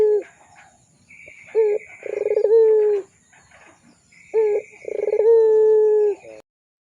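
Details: Barbary dove, called puter pelung, giving a lively lure call for tutoring young doves: twice a short low coo, then a quick throbbing roll sliding into a long, steady, drawn-out hoot, with a faint high whine behind.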